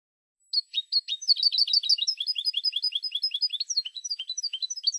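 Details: European goldfinch, Spanish bird on a silvestrismo song recording: continuous fast liquid twittering of tinkling, bouncing notes, dense and varied, with no other sounds.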